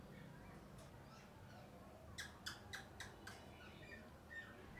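A parrot gives a quick burst of five harsh, broadband squawks about a third of a second apart, over a low background rumble.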